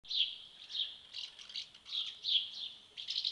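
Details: Swallow chicks being fed at the nest: rapid high twittering chirps in bursts, rising and falling in loudness about twice a second, no other sounds.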